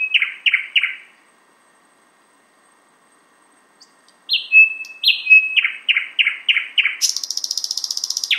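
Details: A thrush nightingale sings outside a window in Finland, a stray north of its normal range. It gives a few loud downslurred notes, a silence, then whistles and repeated chopped notes ending in a high, rapid buzzing rattle.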